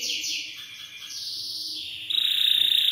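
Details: Belgian canary singing to stimulate young birds: sustained, sliding high tones that drop and level off, then a sudden shift into a rapid, tight, piercing trill.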